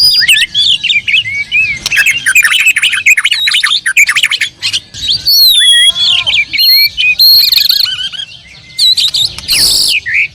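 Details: Oriental magpie-robin singing a rich, varied song: quick whistled phrases, sharp upward sweeps and chattering notes packed tightly, with a few high clear slurred whistles and a harsh burst near the end.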